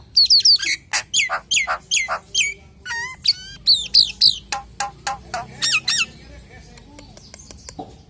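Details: Common hill myna song played to lure other hill mynas: a rapid string of about twenty sharp, harmonic squawks and falling whistles, sometimes doubled, tapering into softer clicks near the end.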